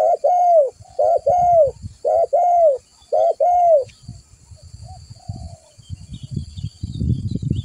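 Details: Spotted dove lure call used to attract other doves: four paired coos, each a short note followed by a longer falling one, then quiet with low rustling noise.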